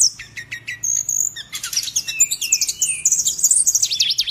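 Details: Bird singing energetically: high piercing chirps and whistles build into a dense, rapid medley of twittering and sweeping notes.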